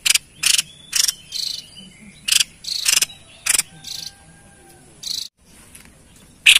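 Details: White-chested babbler singing, used to lure wild birds: a string of rasping buzzy bursts with thin whistled traces between them, then a brief pause before a final burst.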